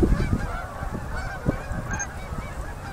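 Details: Canada geese on autumn migration, October 2018, gathering to land on a Manitoba river at sunset. Many honks overlap in a steady chorus, with strong low-pitched wind rumble and occasional thumps underneath.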